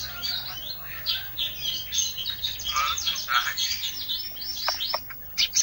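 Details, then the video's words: Olive-backed tailorbird singing an energetic isian (filler) song, a dense, fast stream of high chirps, trills and twittering notes that runs almost without pause, with a few sharp clicks near the end. "suara isian, ranting gacor"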